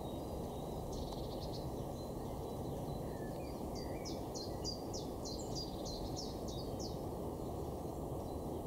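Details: Great spotted woodpeckers (Dendrocopos major) in a territorial fight in an orchard garden give sharp, high 'kik' notes in quick series, about three per second, over a steady low rumble of wind or distant traffic.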